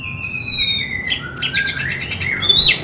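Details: Oriental magpie-robin (kacer) in vigorous song with rough 'isian kasar' filler: long clear whistles sliding down in pitch, then harsh buzzy bursts and a sharp upward-sweeping whistle near the end.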